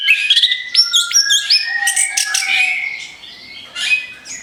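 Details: Orange-headed thrush pouring out lure song for other birds: fast jumbled whistles, sharp high squeaks and buzzy notes in the first half, softer scattered phrases after, over a faint steady tone.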